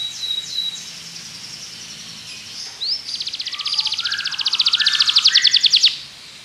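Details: Belgian canary song for training other canaries, set against background noise: thin high whistles at first, then a rapid trill rising in loudness before stopping.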